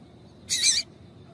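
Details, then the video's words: Female double-collared seedeater (coleiro tui tui) calling to excite and stimulate a male to sing: one brief, bright, high-pitched chirp lasting about a third of a second, with faint low background hum and no other birds. "Piado de fêmea coleiro tui tui"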